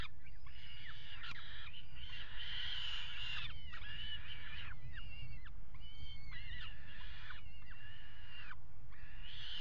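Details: At the Axel water tower on 5 February 2018, peregrine falcons mate on the nest ledge, giving a steady run of grating, wavering wails with short downward-curving notes between them. A deep, steady hum sits underneath.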